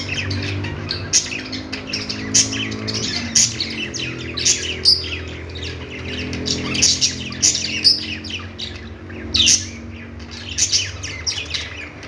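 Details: Budgies chattering in a dense mix of squawks and bright chirps, sharp bursts recurring about once a second over a steady low hum.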